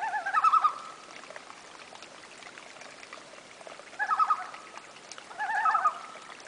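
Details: Common loons, a family on a lake in northern Saskatchewan, Canada, about 150 km north of La Ronge in August 2011: three short quavering, wavering calls, each under a second, spaced by seconds of quiet lake ambience.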